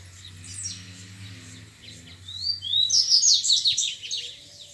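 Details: Wild double-collared seedeater, described as grego, disputing song with rival males. Faint chirps come first over a low droning hum. Then a loud burst of rising whistles and rapid high chirps follows, about three per second.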